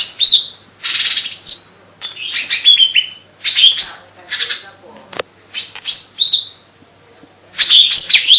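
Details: Energetic 'gacor' singing of a lesser green leafbird, the cucak ijo mini: rapid, high, piercing whistles and downslurred chirps in quick phrases, with one sharp click midway.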